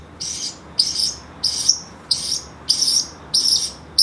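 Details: Pet Pacific parrotlet calling loudly enough to serve as an alarm clock: harsh, high, buzzy screeches, each about half a second long, repeated roughly every 0.6 seconds in a steady series, with quiet between.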